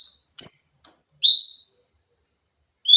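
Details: Sooty-headed bulbul in a training recording: three clear whistled phrases, a high sliding note, then a paired upswept whistle, separated by a long quiet gap.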